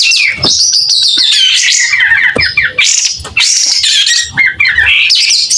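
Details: Loud, clear song from a pied triller spreading its tail: fast sequences of squawky, slurred notes and piercing whistles, with many short breaks between phrases.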